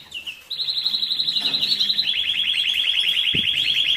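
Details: Canary song for excitement and breeding preparation, moult and rest stage: after a short opening note, a quick pulsing trill of rapidly repeated notes runs on evenly, with one soft low thump.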